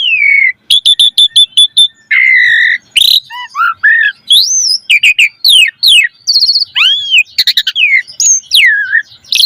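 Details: Asian pied starling in full song as a lure for other starlings: a steady whistle, quick stacked clicking notes, a harsh burst, then varied looping whistles, trills and squeaky slurs.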